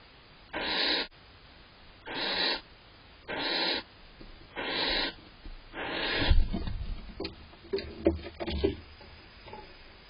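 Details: Annoyed female barn owl in a nest box in June while the male eats cached prey: five breathy, wheezing hisses about a second apart, then rustling and scuffling movement.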